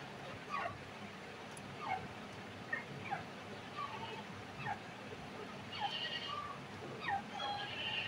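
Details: Grey francolin calling in the breeding season: a run of short, sharply swept whistled notes, some rising and some falling, repeated about once a second throughout, over a steady background hiss.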